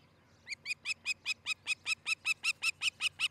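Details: Early morning at an osprey nest near Charlo, Montana, 13 July 2018: a long, very regular series of about fifteen shrill, piping chirps, roughly two and a half per second, steady in pitch and loudness.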